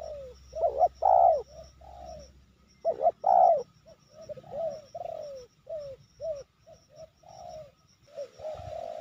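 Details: Cooing during an attempt to trap a wild spotted dove in Sibolangit with two decoy birds: loud rich double coos, then a string of shorter falling coo notes about every half second, a low rumble early on.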